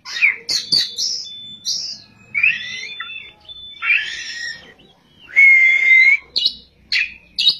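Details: White-rumped shama (kacer) in full ngerol and nembak song: a run of varied phrases, rich whistles, harsh buzzy segments and a long steady whistle near the end, with short gaps between phrases.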